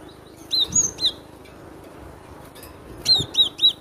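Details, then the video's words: Short burst of loud cinereous tit song: three high, clear whistled notes, a pause, then another quick run of three similar notes, with faint low thuds. "Suara lantang burung glatik batu"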